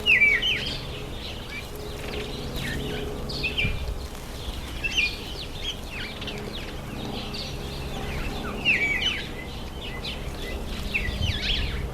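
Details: Breeding-season masked weavers in September or October: scratchy, sizzling bursts of high chirps that come in bunches every second or two, over a steady low background hum.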